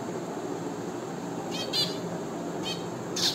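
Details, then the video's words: A finch utters a few clipped, nasal chirps in the second half, roughly one per second, above a low steady drone. "FINCH BIRD and it's natural sound."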